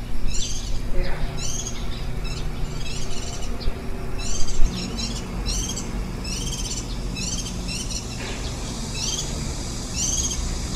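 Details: Warbling white-eye at the nest on 23 July 2018, feeding ten-day-old nestlings the day before they fledge. Rapid high chirps with harmonics, about two per second, mostly falling in pitch, over a steady low rumble.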